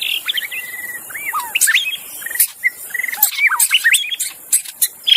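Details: Wild Oriental magpie-robin in forest sings a rapid, varied run of clear whistles, slurred notes and short trills over a steady high insect drone.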